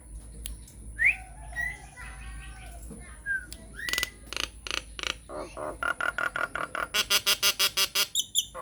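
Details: Lively Nias hill myna lure song for prompting other mynas to sing: scattered rising whistles and croaks, then a steady run of loud, clipped, harsh squawks speeding into a dense chattering series.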